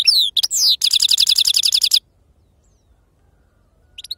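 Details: European goldfinch of wild stock singing falling slurred whistles, then a rapid, even rattle of high notes lasting about a second, followed by silence and a faint restart.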